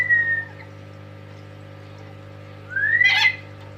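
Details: A tame lory gives a falling whistle, a pause, then a long rising whistle that ends in a harsh, raspy squawk, over a faint constant hum.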